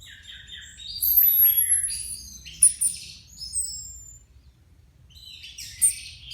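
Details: After moulting, four caged Orange-headed Thrushes are put together for minutes to judge whether they can resume song-contest training; rich bursts of varied whistles and chatter, a long high descending whistle, then a quiet gap before more phrases.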